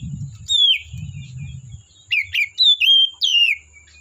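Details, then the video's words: Wild forest Oriental magpie-robin: a loud falling whistle, a pause over low rumbling, then four strong phrases of sliding whistles and sharp chips. "Suara Burung Kacer Asli Hutan"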